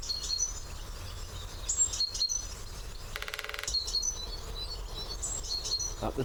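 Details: At the turn of the year, a male great spotted woodpecker drums on a hollow branch. One quick rattling roll of about half a second sounds in the middle, with busy high-pitched birdsong around it.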